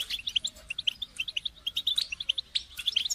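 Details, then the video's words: European goldfinch chorus for birds in moult, meant to prompt them to sing; rapid, evenly spaced high chirps, about one per second or faster, with a steady low hum behind. "بتبتة جماعية تساعد الحسون على التغريد والخروج من مرحلة غيار الريش"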